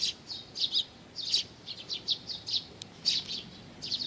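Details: Sparrows of the Eurasian tree species gathering for food at Mizukami Bridge on 4 June 2020, making quick high chirps, about two per second, uneven and overlapping.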